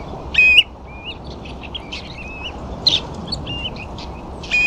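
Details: Ringed plovers feeding on the sandflats at Ferrybridge, Portland, alongside a few dunlin; brief piping whistles and soft upslurred notes in loose series, several birds calling over one another against constant low rushing noise.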